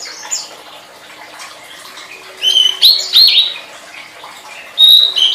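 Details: Tledekan song recorded as training material for songbirds: after a quiet start come short bursts of bright, slurred, chattering whistles, then a final high, thin whistled phrase. A faint steady hum is also present.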